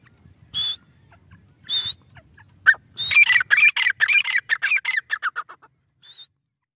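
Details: Grey francolin chicks while feeding: two high whistled notes a second apart, then a burst of rapid harsh squawking notes about two per second for three seconds, ending with a single thin whistle.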